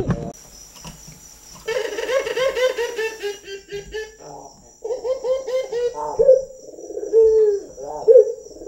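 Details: Trained local Barbary dove: a harmonic, bubbling passage is followed by low rolled notes and long, smooth, descending coos.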